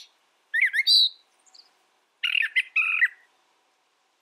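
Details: Two varied brown thrasher phrases: first a twisting whistled and chirped figure, then a rougher, buzzy, doubled chatter.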